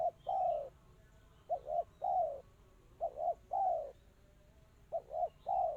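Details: Spotted dove singing 'kristal' style, tight and quick: soft paired coos each followed by a fuller, falling hoot, phrases returning at regular short intervals in a quiet setting.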